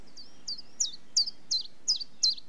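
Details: Common chiffchaff song of seven high notes, the first two softer and thinner, the rest louder with a sharp downward slur, evenly repeated about three times a second.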